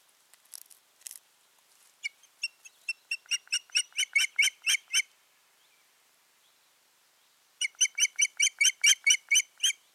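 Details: Piercing whistled calls from an Osprey pair at the nest, 14 June 2019: a dozen notes accelerating and swelling, a three-second gap, then another loud rapid run of about a dozen.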